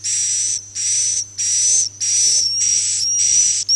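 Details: Swiftlet call of the style known as Akau ngaji: buzzy, hissing high bursts with a thin whistle running through them, repeated roughly every 0.6 seconds, over a steady low electrical hum.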